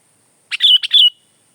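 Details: Sooty-headed bulbul singing, offered as a lively song for tutoring and luring birds: one short burst of three bubbly, slurred whistled notes in quick succession, set against an otherwise silent background.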